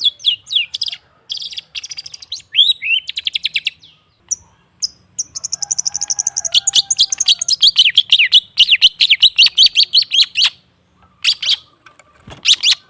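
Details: Long-tailed shrike song played as a training recording to coax a silent caged bird into singing: fast, varied chattering phrases with rapid repeated notes, sharp chips and slurred whistles, bursts of quick trills separated by short pauses.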